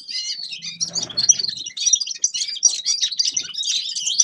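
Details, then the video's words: Grey-crowned goldfinch in a steady stream of high, tumbling chirps and twittered notes, briefly joined by a soft low rustle. "Седоголовый щегол Carduelis caniceps певчая птица"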